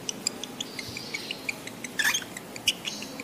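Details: Lovebirds in breeding condition, used as a lure to stimulate adult lovebirds to mate: soft, rapid, high-pitched ticking chirps run steadily throughout, broken by brief harsh, shrill screechy bursts near the middle and toward the end.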